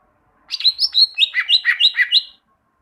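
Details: Greater green leafbird song used as a tutor recording to get caged leafbirds singing: a quick run of about nine bright, chirpy whistled notes, the first high and slurred, the later ones alternating higher and lower, with a clean, quiet background.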